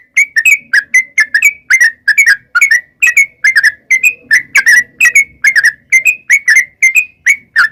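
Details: Sooty-headed bulbul song meant to draw wild birds into replying: a long steady series of short, liquid, slightly bubbling phrases, each a quick two- or three-note chirp, repeated about twice per second without pause.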